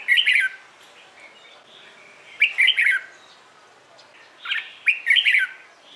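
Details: Red-whiskered bulbul singing competition-style song in the morning, used to train birds and prompt newly caught ones to sing; three short warbled, chattering phrases with bright high notes, roughly every two seconds, over quiet background.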